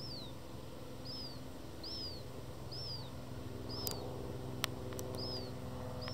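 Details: Black-headed gulls at Dojlidy, Białystok, on 27 July 2024, where a hungry fledgling demands food from an adult: a thin, high, down-slurred whistle repeated about once a second, seven times, over a steady low rumble with a few sharp clicks.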